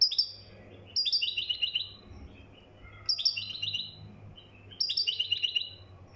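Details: Singing Moroccan goldfinch: four bright phrases of fast, high chirping twitters, each starting with a sharp note, spaced almost two seconds apart over a low background hum.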